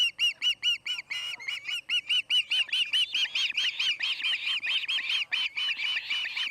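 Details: At the Charlo osprey nest, August 8, 2018, 5:30pm MDT, an osprey screams in a fast series of piercing, down-curved whistles, first spaced and separate, then running together into a dense, louder chain.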